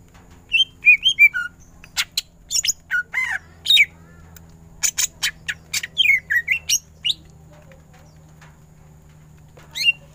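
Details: Greater green leafbird in masteran ngentrok singing, giving scattered sharp chirps and scratchy squawking notes in loose bursts over about seven seconds, then near silence and one final chirp.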